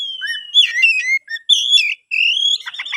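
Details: Kebumen captive-bred Oriental magpie-robin giving a brief run of clear whistled notes, some rising and some falling, with a short gap before an upslurred whistle and a buzzy trill at the end.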